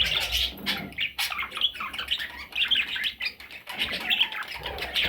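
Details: Several parrot chicks give rapid, overlapping high chirps and short squeaky squawks in steady bursts, with a little low rumble at the start and otherwise fairly clean chatter.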